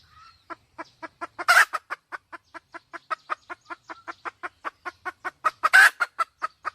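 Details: Red junglefowl hen clucking rapidly and rhythmically, several notes per second, broken twice by a loud, harsh squawk before the steady clucks resume.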